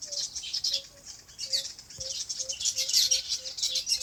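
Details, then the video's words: Birds chirping on a farm in natural habitat: dense high twittering chorus with a regular series of short, low, soft notes repeated about every half second underneath. "Relaxing Bird Chirping Sounds"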